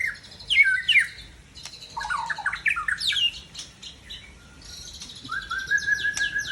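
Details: Seven-year-old white-rumped shama from Tangse, Aceh, singing: a varied run of quick whistled slurs and chattering notes, some sweeping high, ending in a long level whistle.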